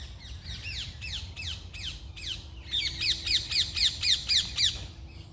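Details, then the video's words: Morning bird song: a fast, even run of bright descending chirps, about four per second, growing louder halfway through, over quiet low background hum. "Start your day with birds singing"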